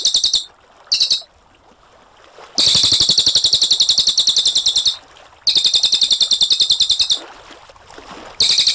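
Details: Cililin, a brown cililin in full song, sings a clear rolling song used to tutor other cage birds. Fast, high, rattling trills come in bursts of one to two seconds, separated by short quiet gaps.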